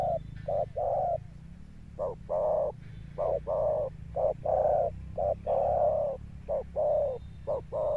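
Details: Spotted dove male with a deep 'thunder' voice, delivering mellow coos in the bổi style with stamped accents. Short clipped notes and longer sustained ones run almost unbroken, over a steady low rumble.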